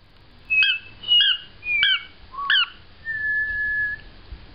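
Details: Male pet cockatiel whistling part of the Close Encounters theme, the first song he learned as a baby bird: four short, clear notes stepping up and down, then one long, steady, lower note.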